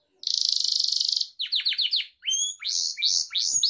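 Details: Gloster canary song meant for training pet canaries: a fast rattling buzzy trill, then quick falling whistled sweeps, a pure rising whistle and several repeated downward-slurred notes, clean and loud.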